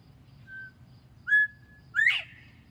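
Northern bobwhite giving its clear whistled bob-white: a soft lead-in note, a level whistle, then a loud, sharply rising final note, over a low background hum.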